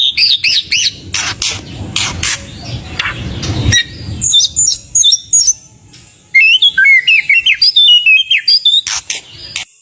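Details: White-rumped shama song used to lure other birds: bursts of harsh notes and clicks, a quiet pause, then high rapid twittering and whistled phrases sliding up and down.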